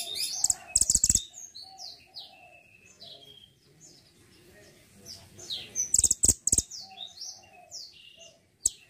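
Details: Mantenan gunung singing actively, kept as a master bird for training songbirds: bursts of high, thin chirps and short sweeping whistles, with sharp clicking knocks near the start and again around six seconds, then quieter scattered notes.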